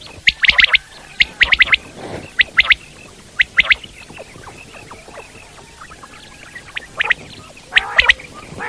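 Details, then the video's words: Wild common quail sounding bright, clipped triplet notes in bursts at the start and end, quieter scattered notes and faint murmur in the middle. "Common quail sounds"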